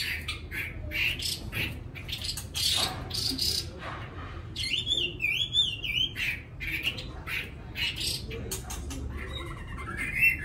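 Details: Caged white-rumped shama kept at a home, giving a soft, sweet song: a whistled, warbling phrase with quick wavering notes in the middle, surrounded by scattered chirps and squawky calls from other birds and low background hum.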